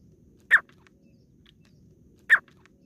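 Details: Female grey francolin, a local desi teetar, calling in a recording used to lure birds for hunting: two short, sharp notes about two seconds apart against a faint low hum.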